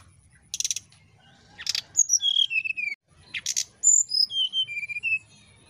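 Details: Brown-chested jungle flycatcher song in the nyiul ngetrek style, used as a basic lure for birds slow to sing: two phrases, each opening with short harsh bursts, then a run of clear whistled notes stepping downward, over a faint steady high hiss.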